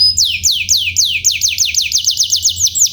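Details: Canary tutor song used to train birds to sing: a fast series of high, downward-sweeping whistled notes repeated several times a second, with a faint low hum underneath.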